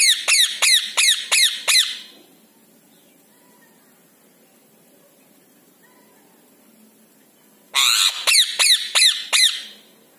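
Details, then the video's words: Indian ringneck parakeet uttering series of sharp shrill screeches, about five in quick succession, then a long quiet gap before another rapid run of five or six harsh notes. "Natural Sound of Indian Parrot | Indian ringneck parakeet | Parrot voice"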